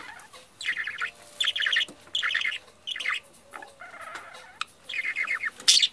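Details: Chattering parakeet calls: repeated bursts of quick stacked chirps, each burst under half a second, separated by short gaps, with a soft murmuring background and a sharp high squeak at the end.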